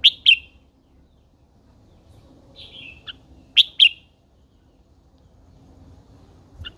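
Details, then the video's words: Red-whiskered bulbul, a female kept as a cage bird, singing in short loud phrases: two bright whistled bursts near the start, another pair around the middle, each phrase made of quick rising and falling notes, with quiet gaps between. "Chào mào MÁI THÚC TRỐNG căng lửa"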